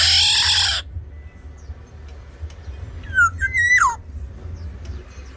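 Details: Tame Sumbawa black-naped oriole, singing keenly, whistles a liquid phrase that drops, climbs and falls steeply, after a loud rushing noise at the start and over constant low hum.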